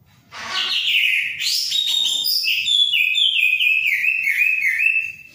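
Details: Orange-headed thrush singing vigorously, a continuous rich warble of slurred whistled phrases with sliding notes and quick flourishes, steady and unbroken for about five seconds, with faint low rumble beneath.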